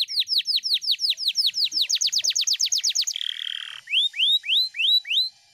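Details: Canary singing a long roll: a fast series of downward-sweeping whistled notes, roughly a dozen and a half, speeding into a buzzy churr, then several slower rising whistles.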